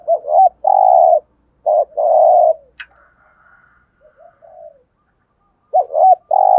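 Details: Spotted dove kept as a decoy, cooing to stir wild doves to reply: two deep coo phrases with a wavering start, a quiet stretch of soft faint notes, then the phrase begins again.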